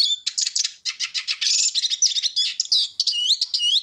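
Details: Eurasian siskin song: rapid continuous twittering of high chirps and trills, ending in wheezy upslurred and downslurred whistles, all high-pitched, steady and lively throughout, with no other sounds.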